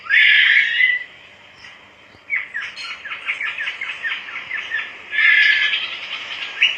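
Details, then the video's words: Java sparrow in lively song: a loud harsh buzzy burst, a pause, then a rapid run of dry clicking chips that leads into another strident buzzy stretch, ending in a sharp note. "emprit haji gacor"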